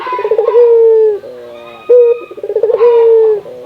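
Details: Local puter dove of Indonesia, recorded to spur other doves into calling: a vibrating trill running into a long level coo, a softer lower note, then the same trill-and-coo phrase again.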